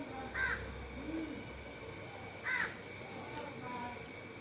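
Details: Indian ringneck parakeet in a very happy mood while eating, giving two short, harsh, slightly rising chirps about two seconds apart, with a soft lower note between them over a faint steady background hum.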